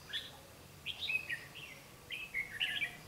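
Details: Red-whiskered bulbul used as a decoy, singing competitively to lure wild birds into a trap; bright warbled phrases of short rising and falling whistles in three bursts, with quiet background.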